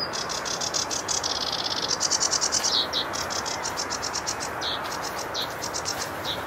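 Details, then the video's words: A sedge warbler sings a dense, scratchy chatter of fast repeated dry notes, briefly swelling into a louder grating burst midway, with a constant hiss of background noise underneath. "sedge warbler song"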